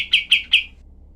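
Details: Three loud, harsh, evenly spaced chattering notes from a cream-vented bulbul, part of a rough, sharp shooting-style tutor recording for other songbirds. Quiet follows.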